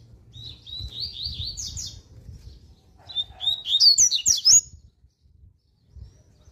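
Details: Seedeater song in the fast, strong 'tui tui' warm-up style: a rolling run of high whistles, a short gap with a faint lower tone, then an intense burst of sharp twittering notes, over low rumble.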